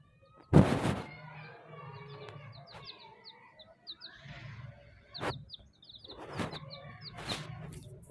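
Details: Chicks give bursts of thin, high, falling peeps in quick series, broken by loud handling thumps and rustles, with a low hum underneath.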